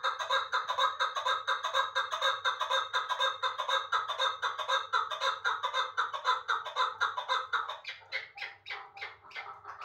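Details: Chukar partridge from Uzbekistan, held in Dushanbe after being caught young, calls in a loud rhythmic chatter of rasping notes, about two each second, loosening into separate, spaced clucks toward the end, with faint background hum.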